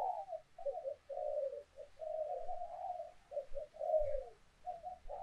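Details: Spotted dove decoy song for prompting doves to coo: a continuous, muffled stream of low hooting coos over a faint background hiss and low rumble, with a brief thump near the end.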